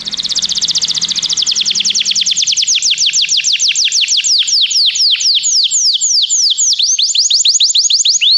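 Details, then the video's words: Canary in song, used to encourage another canary to sing: a long steady series of downward-sweeping notes repeated several times a second, over faint low rumble at the start. "O som de um canário é eficaz para o seu canário cantar"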